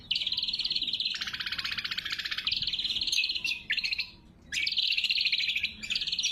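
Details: Greater green leafbird lure and master song, clear with no added effects: long sustained buzzy rattling trills lasting several seconds, broken by one short pause before resuming strongly.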